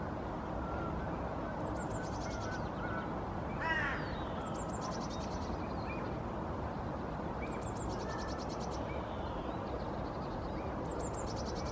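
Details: Nest song of a female Hooded Crow (Corvus corone cornix) sitting in the nest: a single soft, hoarse, stacked call early on, while a high, thin songbird trill repeats four times over low background rumble.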